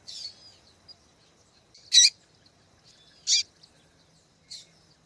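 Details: Calls of a female double-collared seedeater, used to stir males into singing: brief, sharp, buzzy chips spaced one to two seconds apart, with faint thin notes between them.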